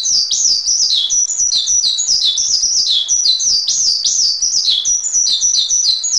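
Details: Sustained Javan pied starling song on a master recording, with sharp high notes and falling slurs tumbling one after another in a lively, chattering flow.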